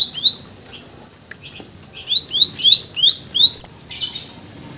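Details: Greater green leafbird in lively, varied full song, as used for training other songbirds: a series of clear upslurred whistles repeated rapidly, rising in pitch toward the end, finishing with a harsh buzzy burst.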